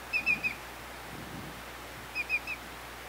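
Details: Greater Yellowlegs (Tringa melanoleuca) call: two bursts of three ringing, slightly descending whistles, tew-tew-tew, about two seconds apart, over a quiet background.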